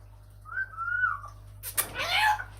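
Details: Amazon parrot kept as a pet, talking and mimicking words; here a clear whistled note rising then gliding steadily, followed by a noisy burst and a second bright whistled phrase dropping in pitch, with background music.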